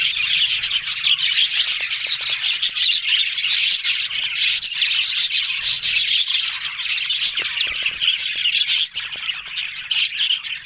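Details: Several budgerigars recorded on October 1, described as talking: a dense, continuous flock chatter of high warbles, chirps and squeaks with no pauses throughout.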